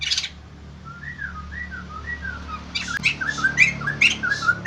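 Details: Caged white-crested laughingthrush singing: a short series of soft, slurred whistled notes at first, then louder, sharper whistled phrases with clipped high accents, over a steady low background hum.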